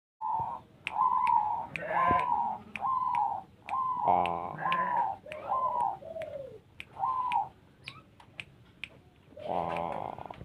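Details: Zebra dove (perkutut) in the ketetan singing style, singing actively: a series of short, clear cooing notes, a few bending downward at the end, given about once a second with brief gaps, over sharp clicking ticks throughout.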